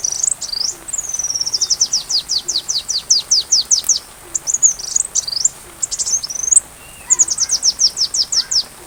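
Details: Sunbird, recorded to teach a white-rumped shama, sings long series of evenly spaced, sharply descending high notes, about three per second, broken by twisting high twitters, against a quiet background.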